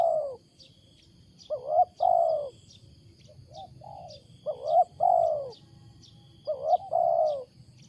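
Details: Wild spotted dove giving a loud, odd coo: three full phrases of a short rising note and a long, sliding-down coo, with soft short notes between them and faint high ticks behind.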